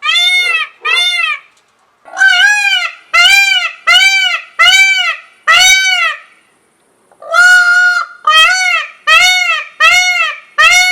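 A peacock gives loud, nasal, wailing screams in quick bursts: two, a pause, then two runs of five, each call slightly arched in pitch.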